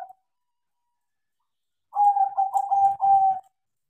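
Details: Singing crossing zebra dove, trained to sing, gives one long rolling coo of quick bubbly pulses on an even low pitch, lasting about a second and a half after a quiet pause.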